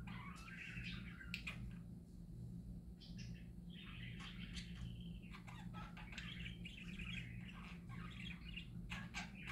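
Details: Pet parakeets sing a busy warble of chirps, squeaks and scratchy trills, broken by sharp clicking taps, while a low mechanical hum runs throughout.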